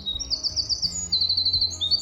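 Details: Winter wren (Troglodytes hiemalis) singing in spring in Bangor City Forest, Maine, during a bird walk. It pours out a very high, rapid, tumbling run of trills and bright notes with no break, over a faint low hum.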